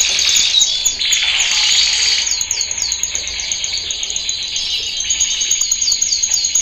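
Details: Male canary training song at high volume: a buzzy, fast trill gives way to a series of quick descending slurred notes repeated about three to four per second, all very high and continuous.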